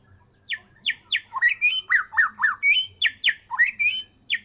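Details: White-rumped shama of the Medan type, a cage bird reared from a fledgling, in full-repertoire gacor song after its first moult: strings of falling whistled notes and rising slurs, fast and unbroken, each note clipped and ringing.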